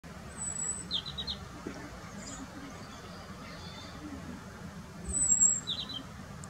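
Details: European robin singing in France: two brief phrases, thin and very high with a few lower trilled notes and a pause between them, over steady traffic rumble.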